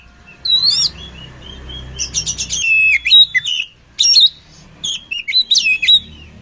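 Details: Oriental magpie-robin song for training birds: bright whistled notes and quick chattering bursts in varied phrases, some sliding whistles held briefly, over a faint low hum.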